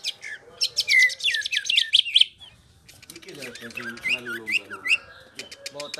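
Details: Cucak ijo, the greater green leafbird, singing ngerol: dense high twittering runs of sharp chips and looping whistles, a lower warbled stretch midway, then more quick repeated ticks.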